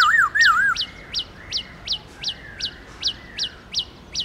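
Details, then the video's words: Black-throated laughingthrush wild-style song, used to stimulate captive birds into singing; two wavering whistled phrases open, then sharp upswept high notes repeat steadily about every third of a second. "Khướu Hót giọng rừng"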